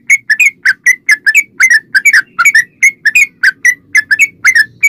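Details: Lively yellow-vented bulbul song, used as a lure so other bulbuls answer: a continuous run of bright whistled chirps, often in pairs, some rising and some dropping, at a brisk even pace.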